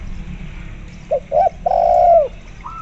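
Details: Spotted dove calling vigorously, accompanied by local zebra dove sounds and used as a lure to set zebra doves calling: two short clipped coos, then a long mellow, slightly falling coo. A soft ringing overtone trails above it.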